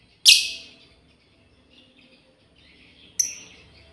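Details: Two separate piercing chirps about three seconds apart from a female lovebird calling its companions, the first louder and longer, with faint twittering in between.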